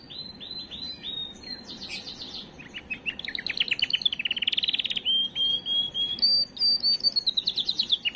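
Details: A singing canary heard to prepare and stimulate females: soft varied notes, then a fast staccato trill building into a loud buzzy roll, then clear sustained high whistles.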